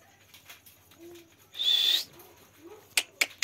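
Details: Indian village parrot swinging, a short low note followed by a long loud harsh screech lasting half a second, then three clipped sharp notes in quick succession.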